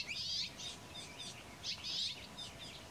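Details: Palila female foraging at 7:13 am on 20 July 2015, Big Island of Hawai'i; a rare honeycreeper songbird giving high, thin trilled chirps in two loud bursts, with softer twittering notes between them.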